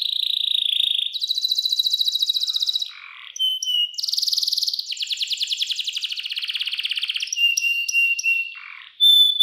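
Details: Singing canary, clear voice and luxurious 'cengkok mewah' phrasing, recorded as tutor song for young canaries. Long churring rolls and fast pulsed trills alternate with brief pure whistles and low rattles, continuing almost without pause.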